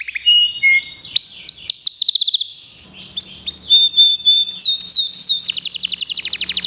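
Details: Local canary preparing for a contest sings bursts of rising chirps and trills, a quiet pause with a low hum, then a whistled note and a fast, dense high trill.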